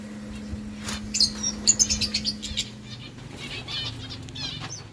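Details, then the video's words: Lovebirds feeding on boiled rice give a run of short, bright, high chirps in close succession mid-clip, mixed with wing flutters, over a steady low hum. "Birds chirping sounds Lovebirds eating food"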